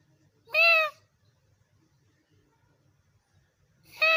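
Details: A parrot gives two loud, nasal, slightly falling calls about three seconds apart, separated by near silence with a faint low hum.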